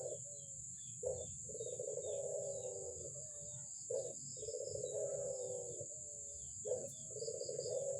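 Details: Albino Barbary dove calling persistently; repeated phrases of a short clipped note then a drawn-out rolling coo, about every three seconds, with a steady high whine and low hum behind.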